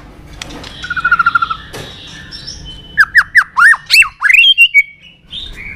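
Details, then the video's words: Fighting song of the white-rumped shama, used to rouse birds and train their song: a short buzzy trill, a pause, then a series of loud, sharply downslurred whistled notes in quick succession. "Luyện giọng chòe Lửa hót đấu"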